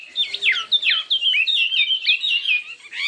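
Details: Chinese hwamei singing competitively with many voices: rapid, loud whistled phrases with sharp downward slurs and quick rising notes, delivered almost without pause.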